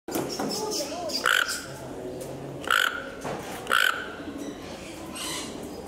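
Toco toucan giving three harsh, croaking grunts about a second apart, over a murmur of background noise and faint chirps.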